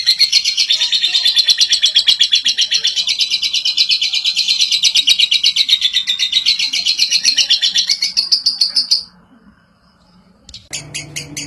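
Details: Lovebird giving a clear ngekek song, a long chattering trill used to prompt other lovebirds: rapid buzzy notes run without pause for about nine seconds, then stop; a few sharp notes follow after a brief silence.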